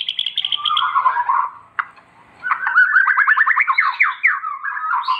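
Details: White-rumped shama singing lively for use as a master recording: a high trill and warbled phrase, a short pause, then a fast repeated series of rising slurred notes.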